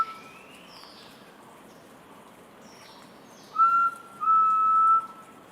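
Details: A forest quail calls with two pure, steady whistles, the first short and the second drawn out, after a quiet stretch of faint background noise.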